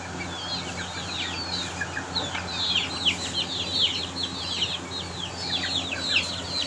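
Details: Aseel chicks during a fight. High, thin peeps fall sharply in pitch and come in quick irregular runs, often several in close succession, through the whole recording. A steady low electrical hum sits underneath.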